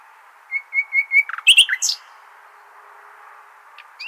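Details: Nightingale song in the Al-Hasaniya style for teaching goldfinch and hybrid chicks. Four soft whistles lead into a brief cluster of sharp chirps, followed by near silence and a last rising note.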